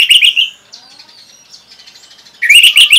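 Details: Orange-headed thrush song used as a lure to spur other birds into singing: loud warbled phrases of rich whistles and trills opening the clip, a quieter pause with faint thin notes, then another loud burst of twisting whistles.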